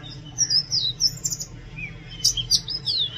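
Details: Brief, high, sweet whistled phrases from an Oriental magpie-robin, slurred notes rising and falling, with a sharper burst near the end over a faint low hum.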